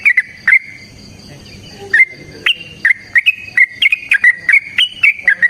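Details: Yellow-vented bulbul in an energetic fighting song, played to draw other bulbuls into singing. Short, clear whistled notes come one after another at an even pitch, broken by sharp clicks, with a brief quiet gap early on.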